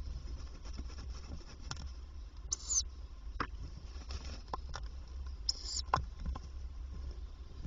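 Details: Tawny owl at a nest box by day, the female coming several times to feed the young; two short harsh hissing bursts about three seconds apart over steady low rumble and scratching, shuffling movement inside the box.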